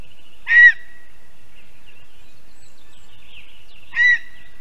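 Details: Female lesser spotted eagle at her spruce-tree nest in Zemgale, Latvia, just back from Africa to breed, evening of 11 April 2022: two short, harsh yelping calls about three and a half seconds apart, with faint small-bird twitters between.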